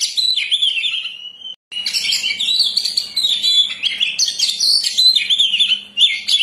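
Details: Oriental magpie-robin singing nonstop to lure birds: a long whistled phrase, a short break, then a fast medley of sweet slurred whistles, rasping chatters and high sharp notes repeated in quick bursts.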